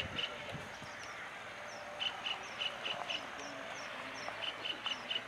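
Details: Red avadavat calling with soft, high, thin chirps in short runs of three to five notes. Fainter higher twitters from other small birds and a low background hiss are heard.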